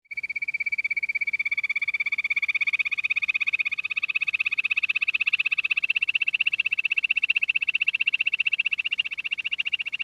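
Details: Quail giving a long, steady, rapid pulsed trill, high and buzzy, held for about ten seconds with even beats and slowly strengthening, over a quiet background.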